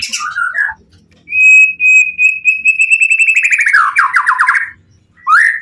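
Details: White-rumped shama, the Pastol PTRK BF bird, in emotional song meant to draw replies from other shamas: a long steady whistled note held over a second, then a fast descending run of ringing repeated notes, ending with a rising whistle.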